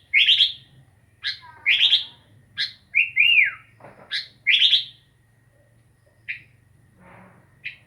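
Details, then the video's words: Sooty-headed bulbul calling loudly with bright burry chirps and a couple of swooping slurred whistles, then softer scattered notes, over a faint steady low hum. "Burung kutilang asyik"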